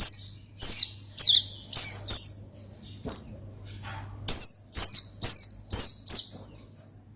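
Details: Ngalas-style song of an Oriental white-eye, meant to call and stir up a rival. A rapid series of sharp, high, downward-slurred chirps comes in two runs separated by a brief pause, with a faint low hum beneath.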